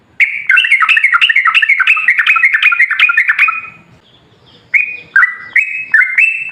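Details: Sooty-headed bulbul song played to provoke other bulbuls to sing: a fast, dense run of chattering, stepped whistled notes for three seconds, a brief quiet gap, then slower separate whistled phrases alternating high and lower pitches.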